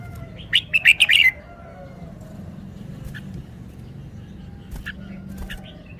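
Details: Red-whiskered bulbul kept in a cage, showing off its song: a quick run of several bright warbled notes at the start, then a few faint chirps amid low rumbling.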